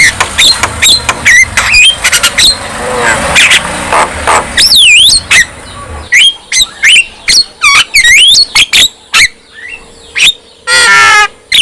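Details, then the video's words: Characteristic Javan myna song that sets other mynas singing and agitated: rapid clicks, squeaks and looping whistled phrases, harsh noisy notes midway, ending in a rattling wavering call. Faint low background noise early on. "Kicau Khas Jalak Kebo | Bikin Jalak Kebo lain ikut Gacor dan Emosi bila mendengar suara jalak ini"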